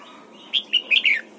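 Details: Single bright phrase from a red-whiskered bulbul being trained in the morning for the 'double-note' wild-style song: four rapid, clear notes, the final ones warbled and slurring lower, against quiet background hiss.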